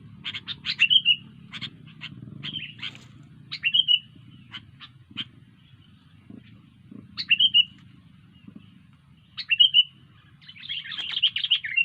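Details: Sooty-headed bulbul giving spaced short chips and brief downslurred whistles every couple of seconds, closing with a denser twittering burst, against a soft low background hum.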